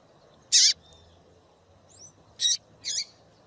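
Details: Female double-collared seedeater calling to stimulate males: three loud, harsh, broadband chips spaced about two seconds and half a second apart, with a thin faint whistle between them on a quiet background.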